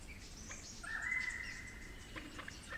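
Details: A single smooth, flute-like whistle swelling and slightly rising over about a second, from a Superb Lyrebird of the Werrikimbe 'flute lyrebird' population, New South Wales, followed by softer notes and distant high chirps.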